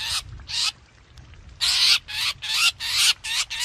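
Black drongo giving harsh, broadband rasping notes, about seven bursts in under four seconds, with short gaps between them; no other sounds stand out.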